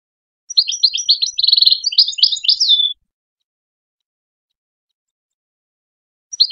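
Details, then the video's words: Wild goldfinch singing, recorded in 2022 for schooling young goldfinches: a fast, tinkling twitter of high, liquid notes with a brief buzzy middle section, lasting about two and a half seconds before silence. "Wild goldfinch song for young goldfinch schooling"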